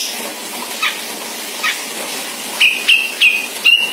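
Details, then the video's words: Sumatran grey-cheeked bulbul in the dominant ngebeset style, used as a tutor recording for cage birds: faint scratchy bursts, then four short, bright, level whistled notes in quick succession near the end. "CUCAK JENGGOT SUMATARA ‼️Dominan NGEBESET"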